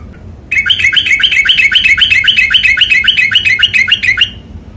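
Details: Sooty-headed bulbul, called trucukan, a long rapid song style, delivering a fast, steady run of bright chirped two-note phrases repeated nearly four times per second, sharp and high, in a quiet room.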